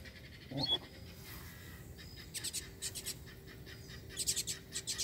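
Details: A free-flying Double-collared Seedeater that has just appeared, seemingly aggressive and calling for a fight, with a female nearby, sings quick clusters of sharp, high, buzzy notes. A brief human sound and a whistle come near the start.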